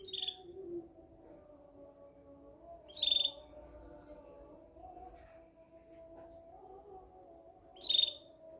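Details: Three sharp, brief canary chirps about two and a half seconds apart, each a crisp high note, heard over a constant low humming background.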